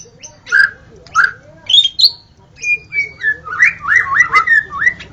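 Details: White-rumped shama at dawn, recording used to lure shamas: spaced, sharp chip notes and high squeaks, then a descending clear whistle followed by a rolling series of bubbling, looping whistles, over a soft low hum.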